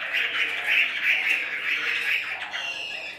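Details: Caged Chinese hwamei on the left giving a dense, rapid stream of harsh, slightly buzzy notes in a steady band, with little pause between them.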